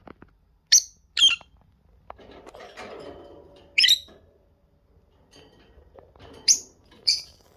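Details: A pair of lovebirds seen face to face close up: sharp, high shrill chirps given singly at irregular gaps, with soft rustling and low shuffling noise between them.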